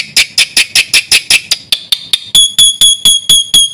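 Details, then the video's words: Black-winged myna singing busy fill-in phrases to lure and tutor other mynas: a steady series of harsh, high chips that turns into evenly spaced, pure, ringing whistled notes. "BURUNG JALAK PUTIH GACOR FULL ISIAN JUARA"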